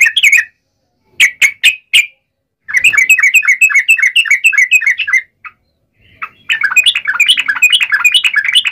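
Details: Yellow-vented bulbul in fierce fighting song of the wild uplik ropel style, meant to make other bulbuls answer: short bursts, then long runs of bubbly, warbling notes repeated rapidly with brief pauses between phrases.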